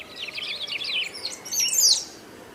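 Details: Brief burst of loud, continuous song from the great pampa-finch (sabiá-do-banhado), Brazil: a jumble of high twittering notes ending in a sharp, downward-slurred whistle.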